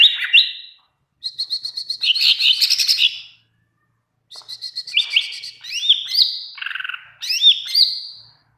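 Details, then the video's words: Greater green leafbird singing actively in a training recording meant to make other leafbirds answer: three bursts of loud, high whistled notes with rising slurred whistles, rapid chattering runs and upward-swept phrases, separated by brief silences. "masteran cucak ijo gacor pling cepat bikin burung cucak ijo nyaut"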